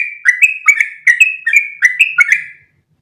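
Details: Short burst of sooty-headed bulbul 'ropel' song, kept as training audio for other bulbuls: about eight lively whistled notes in quick pairs, swinging between higher and lower tones, then fading to silence.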